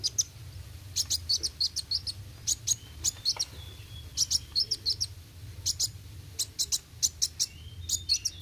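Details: Sunbird song of rapid high chirp volleys and brief trills, repeated in clusters with short gaps, over a constant low hum.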